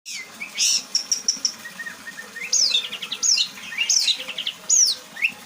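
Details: White-rumped shama singing its varied 'bongkar isian' repertoire of learned phrases: short high repeated notes, then sharp downslurred whistles and quick twittering fragments, with a faint steady hiss behind.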